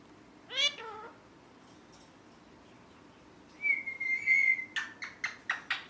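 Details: Pet rose-ringed parakeet, a green ringneck that says its name, giving a harmonic wavering call, then a long steady whistle followed by a run of sharp repeated chirps.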